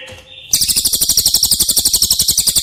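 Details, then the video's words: Cililin singing, meant as practice audio for caged White-rumped Shamas: after a faint thin whistle, a sudden fast rattle of bright, high, evenly repeated notes starts and continues steadily. "Masteran CILILIN Materi Wajib untuk Burung Murai Batu anda!!"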